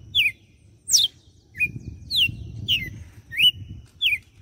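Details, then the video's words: Açoite-style song of a red-cowled cardinal recorded in Fortaleza, Ceará: bright, clear descending whistles, some short and hooked, delivered in an irregular series about every half second, over soft low rumbling in the background. "Galo de campina - CANTO DE AÇOITE."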